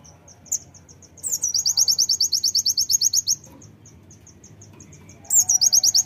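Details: Brown-throated sunbird, called kolibri ninja, singing to set other birds singing. A long, loud, shrill trill of fast repeated high notes begins with a sharp rising note, then a quiet series of soft ticks, then another loud trill.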